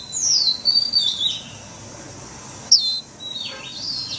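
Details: Forest-style song of an oriental magpie-robin, used as a daily training track for caged birds: clear whistled notes sliding downward, a brief pause, then another falling whistle and a wavering phrase.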